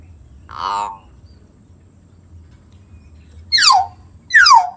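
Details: Common hill myna, played to get a quiet bird singing again: a nasal, croaking harmonic note, a long silence, then two sharp high whistles that drop quickly in pitch.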